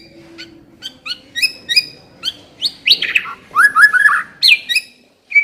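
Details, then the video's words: White-rumped shama singing as a lure to make a caged shama sing: short sharp notes building into rich warbled phrases with rising and falling whistles and a buzzy trill, fairly quiet background. "Pancingan suara burung murai batu agar cepat bunyi dan ngeplong"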